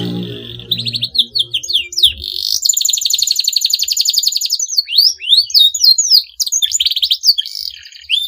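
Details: Canary in full, long song, meant to provoke rivals into singing: rapid trilled rolls, upward-sweeping whistles and sustained buzzy trills, with a low hum at the start.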